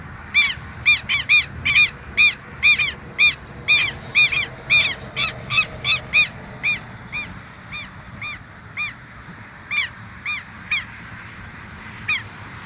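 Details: A Southern lapwing pair, bold because their nest is right here, calling loudly: a dense burst of harsh, strident notes that gradually thin out into spaced single calls, over faint background noise.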